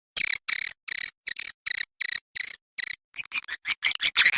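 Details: Swiftlet lure call of the Ratu Birahi style, played to attract swiftlets: a series of short, high, buzzy chirps repeated about three times a second, becoming quicker and more crowded toward the end.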